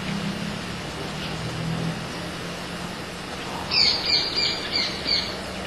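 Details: A chimango caracara in Argentina, feeding, gives a quick run of five high, shrill, scratchy notes, about three a second, after a low rumble of distant traffic.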